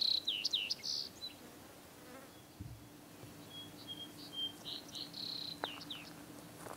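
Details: Vesper sparrow (Pooecetes gramineus) singing at Mt. Pisgah, Lane County, Oregon, on 11 July 2003: a burst of clear, slurred high notes, then after a pause a softer run of thin notes and trills, over a faint steady hum.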